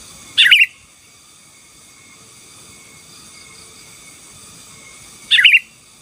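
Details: Two widely spaced bubbly phrases, about five seconds apart, from a sooty-headed bulbul singing gacor song to subdue rivals, over a quiet steady hum.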